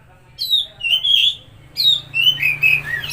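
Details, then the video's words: Oriental magpie-robin song used to stimulate a silent or stressed bird: clear whistled notes, some sliding down and some rising, delivered in two short bursts over a faint low hum. "Pancingan Suara Burung Kacer Macet/Stres"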